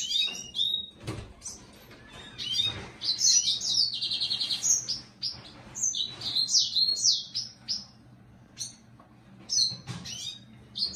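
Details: Red siskin singing: bursts of high twittering, buzzy trills and rising-falling chirps, with pauses between phrases and a faint low hum beneath.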